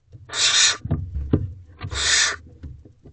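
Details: Barn owl owlets in a nest box at night, 3 May 2023, while one eats a mouse undisturbed by its siblings: two loud, breathy hissing screeches with scuffling, knocking and rustling between them.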